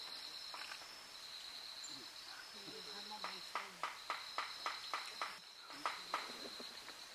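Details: In Corbett National Park, India, in November 2023, a Himalayan flameback gives a run of harsh, sharp notes, about three a second, over a steady high insect drone, with faint low voices early on.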